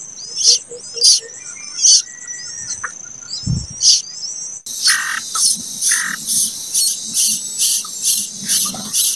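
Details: Scratchy hissing bursts from a late-hatched plaintive cuckoo chick, spaced irregularly with high whistles and a low thump, then a louder, denser run of rasps about twice a second.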